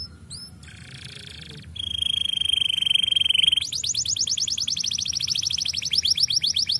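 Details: Canary singing, recorded as material to stimulate other birds to sing: short whistled upslurs, a brief buzzy chatter, a steady high rattling trill, then a fast run of bright repeated notes that carries on to the end.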